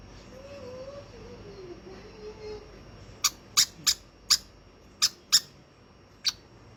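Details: Hand-fed baby conure calling indoors: after a few seconds of faint low murmuring, a series of sharp, high, short squawks spaced irregularly, some in pairs.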